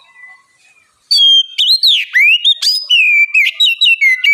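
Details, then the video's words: Oriental magpie-robin bait song for getting other birds to sing: after a near-silent second, a loud stream of bright whistles, upward sweeps and clicks continues to the end. "Pancingan kacer gacor ngeplong masteran kacer bahan lekas bunyi nyaut!"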